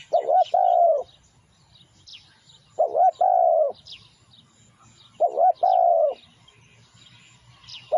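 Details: Lure recording of a spotted dove: soft clipped note then a drawn-out mellow coo, the phrase repeated roughly every two and a half seconds, with thin high twitters of small birds in the background and a low hum.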